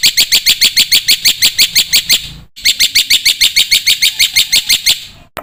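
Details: Black-winged myna masteran, a training recording for cage birds packed with fill-in phrases to prompt young mynas: fast, evenly repeated sharp chirps about three per second, high and bright, pausing briefly before resuming the same rapid series.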